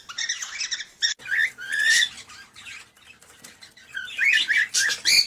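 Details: Cockatiel mating call, used to encourage breeding: bright, harmonic chirps and short rising whistles in irregular bursts, with brief quiet gaps and a faint flutter between phrases.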